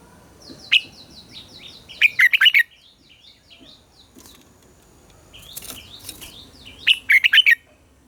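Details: Red-whiskered bulbul morning song used to train captive birds: two bursts of loud, quick warbled notes around a bright mid pitch, with softer chattering phrases and other faint birds between them.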